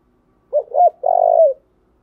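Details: Spotted dove cooing from a lure recording for training decoy birds: two short hollow coos, then one sustained, rolling, gently descending note, all clear against silence.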